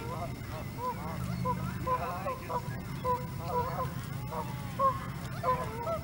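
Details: Several Canada geese close by at Hawreluk Park Lake trade short, nasal honks that rise and fall, spaced through the clip, with a faint low hum behind.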